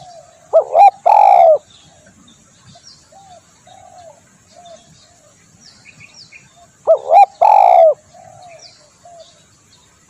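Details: Lure call of a spotted dove: two loud cooing phrases about six seconds apart. Each phrase has a quick double note and then a long drawn coo, with softer short coos in the gaps between.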